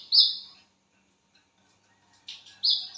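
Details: Wiceh bird calling at midnight: one bright, high falling whistle, a second of quiet, then a softer rough note followed by two more loud downslurred whistles.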